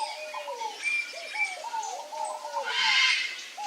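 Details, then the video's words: Feeding on papaya, a male pale-crested woodpecker produces slurred, arching calls that overlap in a loose chorus of falling notes, ending in a noisy rustling burst. "PICA-PAU-LOURO macho, fazendo uma boquinha no mamão (CELEUS LUGUBRIS), PALE-CRESTED WOODPECKER."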